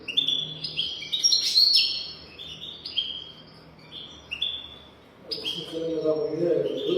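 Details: European goldfinch golden-throat song for training young goldfinches: near-continuous rapid twittering with buzzy trills and high tinkles, pausing briefly before resuming, with a lower murmuring sound rising beneath the final seconds.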